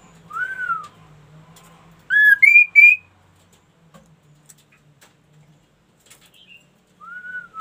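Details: Ashy tailorbird singing energetically starts with an arched whistle, then after a pause gives three loud upward-stepping slurred notes. Near the end comes one more arched whistle.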